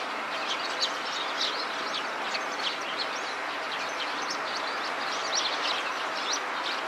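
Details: Eurasian tree sparrow scratching itself with beak and feet as it calls: quick bursts of sharp, high chirping notes repeated irregularly over several seconds, against a constant loud rushing background noise.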